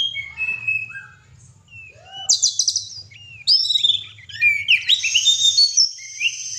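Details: Prolific 'gacor' song of an oriental magpie-robin (kacer), played to provoke pet birds. Soft whistles and chirps give way to loud buzzy trills, harsh scratchy phrases and piercing high whistled notes in a rich, varied outpouring.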